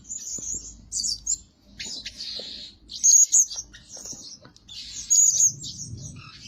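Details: Blue-crowned hanging parrot kept as a lure bird, calling by day and night: clusters of high, thin, shrill chirps separated by pauses of about a second, the loudest notes sharp and piercing.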